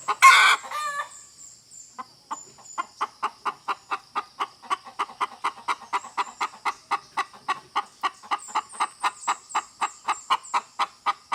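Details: Hen gives a loud, harsh burst at the start, then settles into a long run of short, regular clucks, about four each second.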